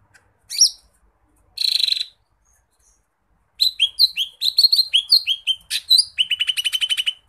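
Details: Lesser green leafbird in full 'gacor' song: a lone chirp and a short buzzy trill, a pause, then a lively sequence of downslurred whistles ending in a fast series of repeated notes.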